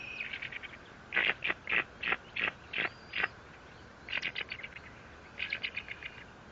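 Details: Bald eagle at its Fort St. Vrain nest, 57 feet off the ground, picked up by a live nest camera on 14 April 2024: rapid runs of sharp, high piping notes in three chattering bursts separated by short pauses.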